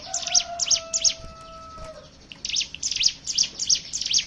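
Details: Hill prinia ngebren lure song: clusters of high clipped chips, briefly broken off, then resuming fast, with a long low steady tone under the first half.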